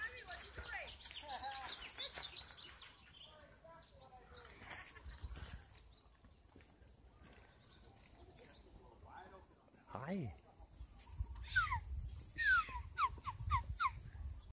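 Hawaiian hawk giving a quick series of high, sharply falling whistled cries near the end, after a stretch of human voices and background noise.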